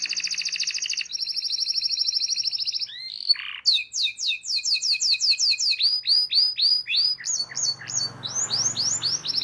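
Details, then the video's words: Master song of a canary played to train young canaries: a steady high buzzing trill, a few lower twisted notes, then rapid repeated upslurred chirps about four per second, with faint low rumble near the end. "PANCINGAN Kenari GACOR PANJANG Cuit Cuit EMOSI‼️ MASTERAN Kenari PAUD belajar BUNYI"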